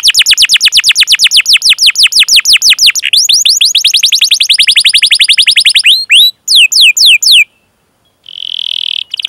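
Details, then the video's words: A canary's long rolling chirp song serves as training for juvenile canaries: over six seconds of rapid, evenly repeated downslurred chirps, a few spaced sweeps, a brief silence, then a short buzzy trill. "Masteran Suara Burung Kenari Gacor Panjang cuit cuit Ngerol untuk Pancingan Kenari!"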